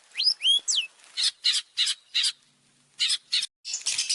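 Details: Long-tailed shrike in an opening song meant to lure other birds. A few sharp whistled slurs lead into a series of harsh, scratchy bursts repeated about every third of a second, ending in a noisy chatter.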